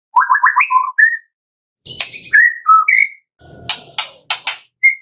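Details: Morning song of a white-rumped shama, used to prompt caged birds to sing: quick stepped whistles climbing in pitch, then separate sweet slurred notes mixed with a few harsh, noisy rasps and a final short whistle.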